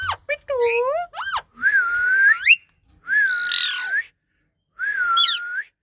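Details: Ringneck parrot talking: quick varied notes, then long level whistles that rise sharply at the end, one overlaid with a raspy squawk, ending on a whistle with a high chirp.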